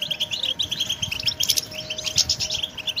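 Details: Goldfinch song for training: rapid high chirps repeated in quick succession with tinkling trills, accompanied by a faint steady low tone.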